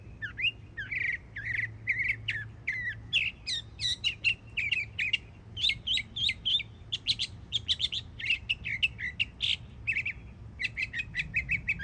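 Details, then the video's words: A young Northern Mockingbird in Florida sings a dense, varied medley: repeated harsh chirps, buzzy bursts and bright whistled notes, phrases changing every few seconds with barely a pause, over a low background rumble. "Yearling Florida Mockingbird Goes Hard 🎶💯 Beautiful Songs"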